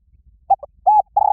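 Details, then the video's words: Spotted dove calling loudly to fight: two quick clipped notes, a rounded coo, then the start of a long steady coo, cut off. "Tiếng chim cu gáy gọi bổi rất to và vang cu gáy gọi đấu"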